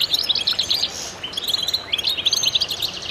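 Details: Goldfinches singing together, bursts of fast sparkling twitters and slurred whistles, a brief lull after the first second, then the lively high chorus resumes.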